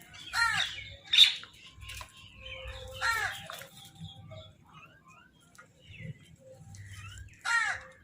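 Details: Crow giving food calls while birds compete over food: harsh, hoarse caws heard four times, spaced unevenly over eight seconds, with faint chattering of other birds and low rumbling between calls.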